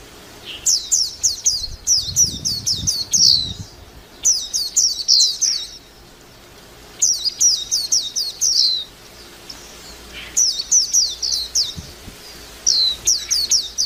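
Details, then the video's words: Warbling white-eye twittering song in repeated bursts: rapid strings of high, thin, falling notes lasting one to two seconds, separated by short silences, with a low rustle partway through. "tiếng chim vành khuyên hót líu lo"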